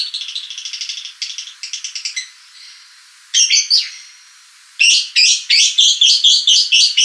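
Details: Lovebird chatter from a ngekek lure recording: bursts of quick, buzzy clicking notes, then a pause, a short harsh squawk group, another pause, and a final loud run of rasping notes.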